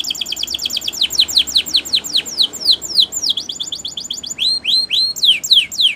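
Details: Gloster canary song for training: a steady run of sharp downslurred whistled notes, about four per second, shifting midway into rising swept notes, loud and clear indoors.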